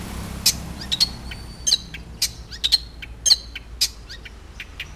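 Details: Long-tailed shrike in lively, chatty song: sharp, high, clicking chips and short squeaky notes in an irregular series, some closely paired. A low hum runs underneath.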